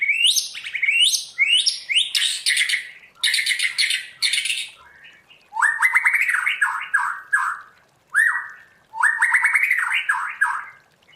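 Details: White-rumped shama in trained wild-style song, pouring out rapid chattering notes and buzzy bursts, then repeated quick falling whistle series separated by brief pauses.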